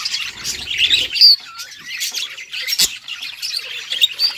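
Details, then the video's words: Budgerigars singing contentedly: a steady stream of rasping, twittering warble, with a bright rising whistle and a short falling note near the start, then more scratchy chatter and a single sharp click. "Budgies sounds | Budgies singing | Budgies bird happy sounds"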